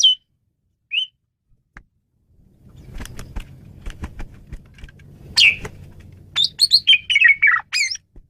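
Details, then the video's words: Asian pied starling on a songbird training recording: isolated high whistled notes and a click, a stretch of low rumbling background noise, then a loud burst of chattering and a quick tumbling run of whistled phrases. "Ocehan Burung Jalak Suren"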